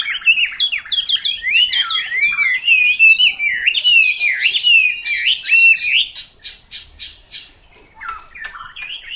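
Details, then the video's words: An untrained Chinese hwamei delivers swooping whistled phrases that glide up and down, then breaks into a series of short, evenly spaced clipped notes before returning to warbling. "Họa mi mộc"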